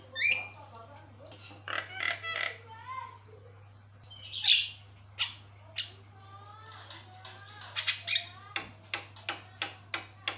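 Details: Javan myna song of the sort said to make other mynas answer: a varied jumble of grating squawks, short wavering whistles and a closing series of quick dry clicks, steady low hum underneath.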